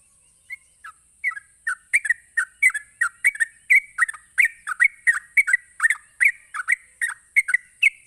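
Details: Rapid ropelan song of a sooty-headed bulbul, meant to make other bulbuls answer. Scattered notes speed up into a steady rollicking run of dipping whistles. A constant high hiss is heard.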